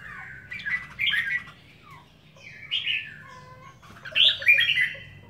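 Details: Home-kept red-whiskered bulbul delivering three clear bursts of loud, liquid whistled warbles, each phrase about half a second long with pauses between, over a low steady hum.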